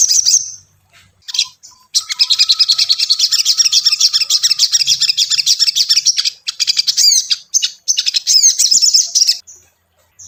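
A tailorbird gives a loud, rapid, high chattering song of repeated sharp notes, about three per second, sustained for several seconds with brief pauses.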